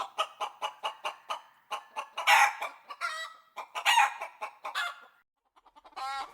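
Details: Rooster, a chicken, giving a quick run of short clucks, then two louder hoarse harmonic squawks, a few soft clucks and a final drawn-out call, with nothing else heard.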